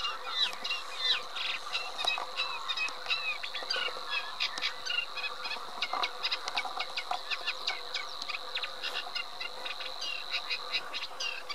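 A Eurasian reed warbler chatters steadily, with harsh, scratchy notes repeated two or three times before switching, over a faint, constant high hum.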